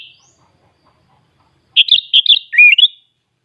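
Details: Kept sooty-headed bulbul from Klaten, Central Java, Indonesia, singing a full, varied song: after silence, three quick bursts of rich bubbling whistled chirps, the last ending in a slurred rising note.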